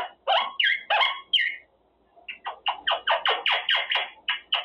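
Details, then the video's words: A male pet monk (Quaker) parakeet practising words during cage time talks in a few raspy, word-like phrases, then chatters about a dozen harsh, falling notes, roughly four per second. "Parrot practicing words - Talking Quaker parrot"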